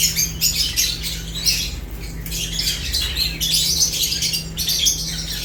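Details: Lovebirds eating produce shrill, overlapping chirps in bursts with a brief lull midway, over a constant low hum.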